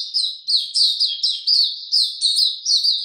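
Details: Caged Oriental white-eye singing slow and easy: rapid chain of high, thin chirped notes, each slurring downward, delivered in quick bursts about every half second with no other sounds.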